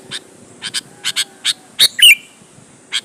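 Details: Sooty-headed bulbul calling to provoke rival bulbuls into answering: scattered grating, buzzy notes in pairs, then a louder burst followed by a short slurred whistle, with steady quiet background noise.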